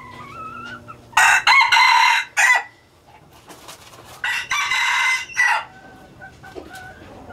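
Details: Hybrid red junglefowl rooster of a pure Laos strain, a captive breeding male, crows twice: loud, harsh broken phrases of several segments, each about 1.5 seconds, separated by a quiet gap of about 2 seconds, with faint high chirps before.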